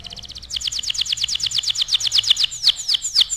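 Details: Gacor canary recorded as a tutoring master, singing rapid repeated double-toned notes that turn into quick downward-sweeping chirps, about four per second, over faint background hiss.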